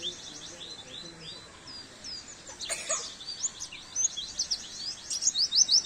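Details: Oriental white-eye, caged-bird training recording: high thin twittering song, brief faint notes building into rapid repeated chirps, about three per second, growing louder toward the end, one short burst of noise midway.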